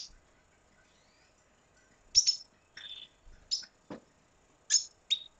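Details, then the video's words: Red siskin from Venezuela giving scattered high chirps and short buzzy notes with gaps between them, plus one lower downward-sliding note near the middle. "Canto Cardenalito Venezuela"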